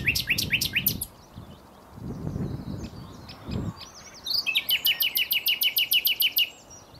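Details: Common nightingale song: a few loud repeated sweeping notes, a pause of soft warbling, then a long rapid rattle of identical sharp notes, about four per second.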